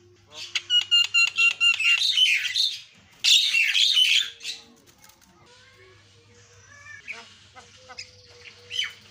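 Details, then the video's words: 'Isian'-style song from a jalak kebo (Javan myna): a rapid string of ringing, rich whistled notes and dense scratchy chatter, then quieter scattered squeaks and soft calls. "JALAK KEBO SUARA ISIIAN"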